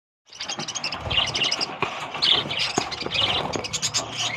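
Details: Lovebirds in a caged breeding colony with chicks, giving dense, overlapping shrill chirps and squeaky chatter, with scratching and clattering noises from the cage throughout.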